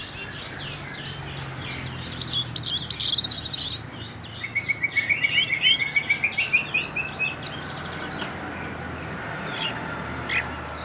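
Orange-headed thrush in full song: a busy stream of high, twittering phrases, then a rapid run of sharp repeated notes, over steady background hiss.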